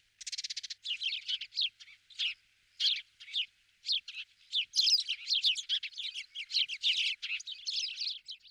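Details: Spanish sparrows chirping in Toledo province, Spain, in November 2019: a steady stream of sharp, buzzy cheeps, several per second, overlapping as if from a few birds.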